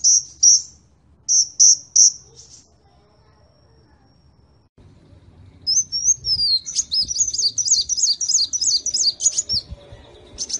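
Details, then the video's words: Sunbird in a lively match of two kinds of sunbird: a few high chips, a short quiet gap, then a fast twittering, warbled phrase of rising and falling high notes over low background rumble. "KOLIBRI NINJA VS KOLIBRI WULUNG SUPER GACOR"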